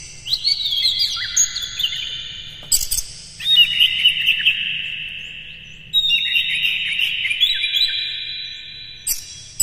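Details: Morning song of a kept Oriental magpie-robin, meant to provoke caged birds into singing and opening their tails. Three long, rich whistled phrases come in turn, with sharp clicking notes between them.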